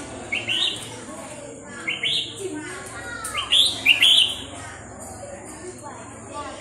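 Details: Red-whiskered bulbul, hand-tamed since it was young, giving short, bright, liquid whistled song phrases in three or four bursts of about half a second each, with a faint background murmur.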